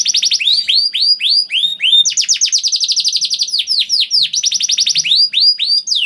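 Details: Singing canary in a long, loud performance used to prompt other canaries to sing: rapid trills of downward-sweeping high notes, about four per second, broken by fast buzzy rolls and a brief rising whistle.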